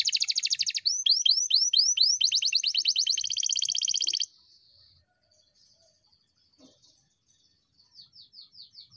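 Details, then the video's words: Excited canary singing ahead of a song competition: a dense high rattling trill, then a run of swooping downslurred notes and another buzzy trill. Near silence follows, with a few soft notes at the end. "EMOSI KENARI SEBELUM DI GANTANGAN"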